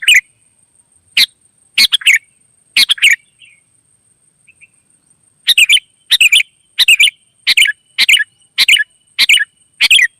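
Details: Wild sooty-headed bulbul in energetic answering song: scattered click-and-chirp phrases, a short quiet gap with a few soft notes, then a steady run of bubbly phrases roughly every half second.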